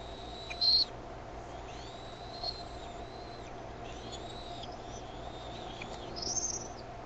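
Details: Bald eagle chicks at the Decorah nest on the evening of 13 May 2015 call as the mother arrives with food and one eaglet opens its wings. Brief sharp high chirps are followed by faint thin rising and falling whistles and a final squeal.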